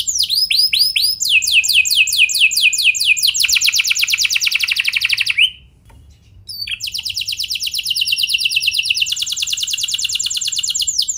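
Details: Canary singing to set other canaries off: fast falling sweeps give way to long rapid rolling trills, a brief pause near the middle, then another extended high trill with steady repeated notes.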